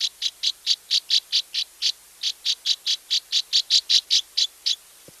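Northern Rough-winged Swallow giving a quick series of about twenty short, buzzy, rough notes, roughly two to three per second, with no other sounds.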